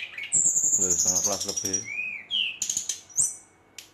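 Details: A brown-chested jungle flycatcher's night song, aimed at stirring rival birds: a long high whistle sliding gently down, a low arched whistle, then short high notes, with a man's voice talking underneath.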